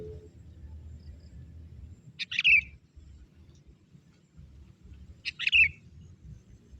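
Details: Sooty-headed bulbul, a young forest bird used to lure wild bulbuls, gives two clear burry chirps three seconds apart above a steady low-pitched background noise.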